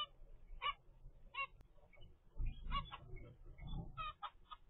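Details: Young captive zebra finch aged 25 days, first brood, producing a string of nasal honking calls, some clustered in quick pairs, over low thumping handling noise.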